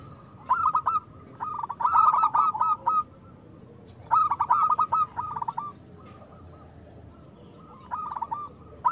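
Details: Loud local zebra dove song meant to prompt reluctant or moulting doves to sing: clusters of fast, rolling staccato coo notes in trilled phrases, each lasting a second or two, with gaps of quiet between.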